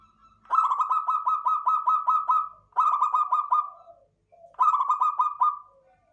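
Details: Local zebra dove (perkutut), described as klowongan, cooing in three long phrases, each a quick run of pulsed, rolling notes that trail off; a quiet background otherwise.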